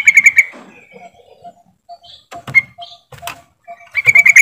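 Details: Yellow-vented bulbul lure call, used to prompt silent bulbuls to sing: quick bursts of bright, chattering notes at the start and end, with a few scattered whistles and soft clicks between.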